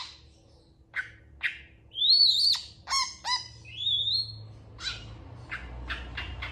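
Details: Long-tailed shrike (pentet) singing with long, varied phrases, answered by other shrikes. Sharp clicks lead into two drawn-out, wavering high whistles, with buzzy rasping notes between them, then a run of quick dry ticks, all over a low background hum.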